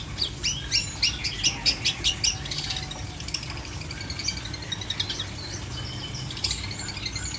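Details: Long-tailed shrike without a cage cover opening with a fast burst of sharp, clicky high notes for about two seconds, then fainter scattered chirps before a final short flurry, steady low hum beneath.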